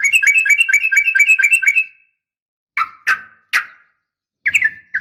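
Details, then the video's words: Female sooty-headed bulbul calling a male with a fighting sound: a quick run of about eight repeated looping two-part notes, a pause, three sharp single notes, then two short rising phrases. "trucukan gacor SUARA TARUNG ROPEL UPLIK"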